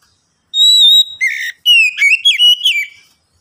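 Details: White-rumped shama song played to prompt other shamas to sing: a long clear whistled note, then rapid varied whistled phrases with buzzy trills and sliding notes, loud and close, on a silent background.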